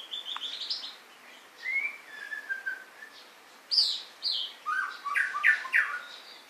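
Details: White-rumped shama in varied song, mixing high thin notes, a drawn-out lower whistle and a burst of loud, rich, rapidly repeated chopped notes near the end.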